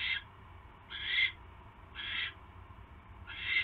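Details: At an owl nest during an evening mouse delivery in January 2016, four drawn-out, rasping hiss-screeches spaced about a second apart, loud against a faint low background noise.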